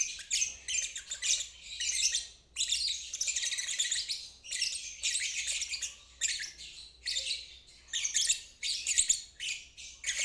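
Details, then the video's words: A lovebird ngeriwik trill serving as a lesson for stalled and young birds. Bursts of rapid, rasping, high chatter last one to two seconds and are separated by clear brief pauses. "Terapi Lovebird ngeriwik untuk burung macet dan balibu belajar bunyi"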